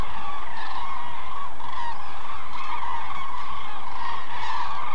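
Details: A large flock of migrating common cranes in an almond orchard in the Hula Valley, Israel, in November, feeding on fallen almonds; a continuous wall of overlapping bugling, trumpeting calls with steady low rumble beneath.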